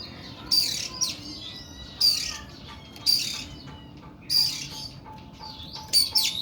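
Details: Kacer kuku bima, an oriental magpie-robin, delivering long harsh 'nembak' song: five loud, grating bursts tipped with piercing whistles, spaced roughly a second apart, over faint steady background chirping.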